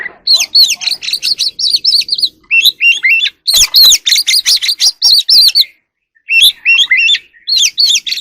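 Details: Wild oriental magpie-robin singing while displaying in the evening: loud, rapid, varied song of sweet whistled notes and twisting slurred phrases, high-pitched, in dense bursts broken by short pauses.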